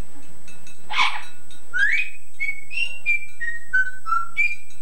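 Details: Pet Yellow-naped Amazon parrot, taped about 15 years earlier, mimicking its owner's singing in an English Scouse accent: one harsh raspy burst, then a run of clear whistled notes stepping up and down like a tune.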